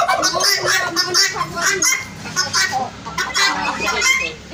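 Turkeys calling in quick, rattling, gargled bursts, several overlapping, about one and a half a second, with a busy yard murmur underneath.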